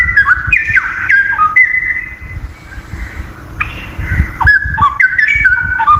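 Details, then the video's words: Wild straw-headed bulbul, known locally as cucak rowo hutan, delivering bubbling whistled phrases with slurred up-and-down notes, a brief quieter pause midway, then another loud rolling burst, over low rumbling background noise. "Masteran burung cucak rowo hutan gacor"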